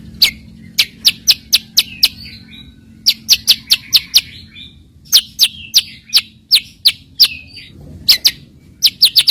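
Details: White-rumped shama filler song meant to lure rival birds into song: sharp high clicking notes in quick clusters, mixed with soft warbled whistles between them, steady faint background hum.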